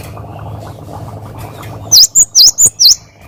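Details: Training recording of a Cinereous tit's energetic 'wucit wucit' song: after low background hum, five loud, piercing whistled notes rise and dip in a quick, evenly spaced run lasting about a second.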